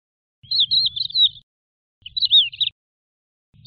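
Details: Lark song in two short bursts of twisting, slurred whistles, each under a second long and separated by silence, over a soft low hum.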